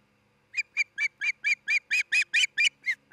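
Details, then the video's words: Osprey at its nest on a camera in Charlo, Montana, 27 June 2018, giving a rapid series of about a dozen short, sharp, whistled chirps that grow louder and stronger before easing off slightly at the end; quiet background. "Osprey Nest - Charlo Montana Cam"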